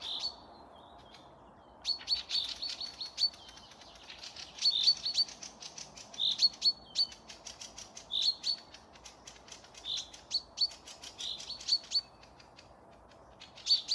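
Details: Woodland birds in May 2024 near Panika, Torzhok district, Tver region, Russia: bursts of high piercing chirps and repeated thin whistled notes arrive in groups every second or two, with brief quiet gaps between phrases.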